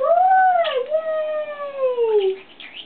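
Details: A 6-year-old male blue-headed pionus, doing tricks for almonds and irritated by a new tripod, gives one long, whine-like whistled call that rises briefly, then slides slowly downward for over two seconds, with a brief rustle.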